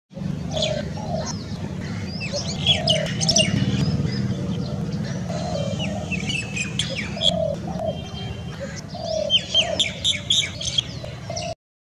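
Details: A sunbird in India gives quick, thin, high chirps and twitters, several per second. Low dove-like cooing and a steady rumble run underneath.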